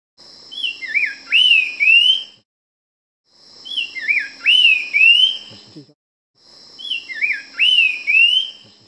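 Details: Nava's wren in karst rainforest near El Ocote, Chiapas, Mexico, in mid-March, singing a clear whistled phrase of a few falling notes and then rising slurred whistles, given three times, over a steady high insect drone.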